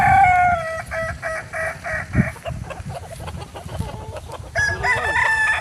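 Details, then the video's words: Kukuak Balenggek rooster, a native chicken from Solok, West Sumatra, crowing: a long multi-part crow with a held opening note followed by a rapid series of stepped, repeated syllables, then a further rising phrase. "Ayam kukuak balenggek"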